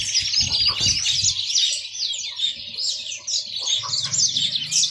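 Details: Rapid, twittering finch song from a yellow-fronted canary, high chirps and slurred notes chained together, with soft low rumbles at the start and end.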